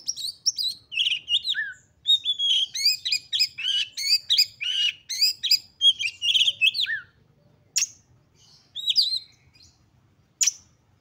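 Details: Excited Oriental magpie-robin song used to provoke rival magpie-robins to sing; a fast run of clear whistled and chirping phrases, downslurred and rising notes packed together, then sparser single sharp chirps after a short lull.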